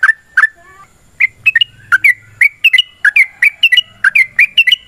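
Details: Sooty-headed bulbul giving a long, rapid fighting song used as a lure to make other birds answer: short bubbly chirped notes, often doubled, repeated several times a second after a brief pause, with a faint low hum beneath.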